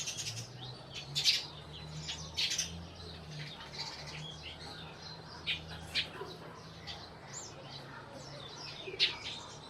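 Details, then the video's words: Several sparrows in Burma chirping in scattered sharp bursts, some overlapping, over a low droning hum in the background. "Sparrows/ sparrow sounds"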